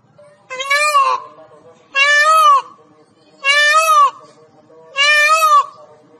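A peacock gives four loud, nasal, rising-then-falling wails, each about half a second long and roughly one and a half seconds apart, over a quiet background.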